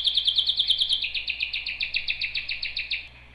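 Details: Canary singing fast, rolling high trill, notes pulsing several per second, dropping slightly in pitch midway and continuing evenly before stopping.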